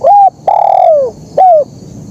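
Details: Loud, clear 'kuk 1' song of a spotted dove: a short arched coo, a long sustained coo gliding down at its end, then another short falling coo, over a quiet background.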